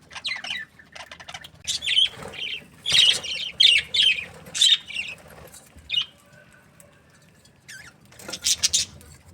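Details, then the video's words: Budgies give short bursts of high, squeaky chirps in clusters about a second apart, then a quieter pause before a final burst of chatter. "Budgies parrot chirping sounds"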